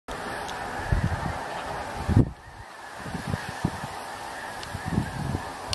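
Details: Huge flock of snow geese on 17 November, far too many to count, producing a dense continuous babble of overlapping nasal honks with louder nearby calls and steady wind rumble.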